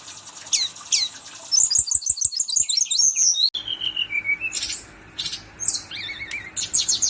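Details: Brown-chested jungle flycatcher singing a rolling series of high chips and fast trills, then drawn-out whistles and buzzy bursts, over a faint steady background hum.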